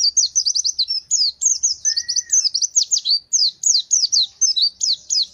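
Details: Gacor fighter pleci (white-eye) in sustained song: more than five seconds of rapid, high, sharply falling chirps in clustered bursts, with one brief lower drawn-out whistle mixed in.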